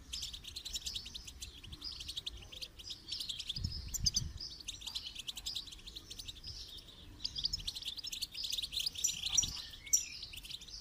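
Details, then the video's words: Goldfinch song training material: an unbroken, dense, high-pitched twitter of rapid chirps and buzzy trills lasting about eleven seconds, with occasional low thumps. "Motivational rewards for training goldfinch to song"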